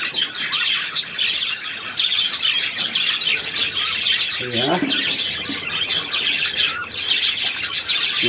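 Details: Budgerigars giving steady, busy high-pitched twittering and scratchy chirps throughout. A low human voice speaks briefly near the middle and again at the end.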